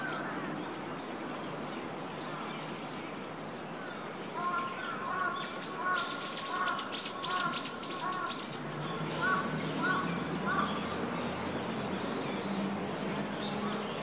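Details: Eurasian coot on Ueno's Shinobazu Pond, 10 December 2021. A run of short, harmonic, barking notes at a fairly even pace is mixed with a burst of sharp, rapid clicking or splashing sounds. Steady low background noise runs throughout.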